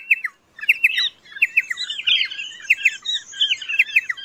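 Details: Pardalote calling with short, high, sharp chirps in quick broken clusters, a few notes at a time, with overlapping squeaky twitters above and a brief pause near the start.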